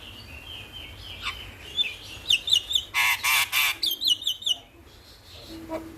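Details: Starling in the morning, used as a lure and master recording to get birds singing quickly; thin whistled notes near the start, then a loud burst of harsh rasping, rattling notes mixed with high whistles, fading to quiet chips.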